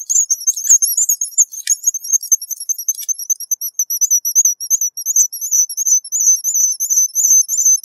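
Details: High, sibilant whistling from a guillemot, delivered as quick wavering notes in a long string, with a few scratchy clicks during the first three seconds.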